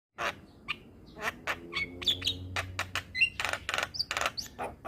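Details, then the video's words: Javan myna song used as training material for young mynas: a busy run of harsh squawks, clicks and short chirps with a few thin whistled notes, fast and irregular, over a low steady hum. "Masteran Burung Jalak Paling Ampuh Bikin Jalak Muda gacor Full isian"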